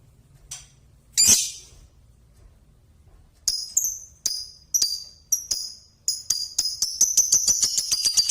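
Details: Six-month-old Balibu Pasjo lovebird chattering: after a quiet start with one rustling burst, a series of high, sharp metallic chirps begins and speeds up into a fast, continuous jingling trill toward the end.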